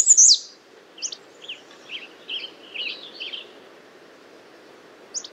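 American redstart: a sharp, very high descending note, then about ten thin, quick chips over four seconds and one last high note, over a faint low hum.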